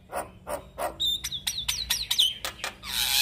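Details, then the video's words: Male Javan myna in full, energetic song, offered as a tutor recording for other mynas to copy: a run of harsh, clacking broadband notes, then a quick series of sharp, downward-slurred whistles, ending in a rough, noisy burst. "JAlak Kebo Jantan Gacor MASsteran Semua Burung Jalak Akan Niru Suaranya"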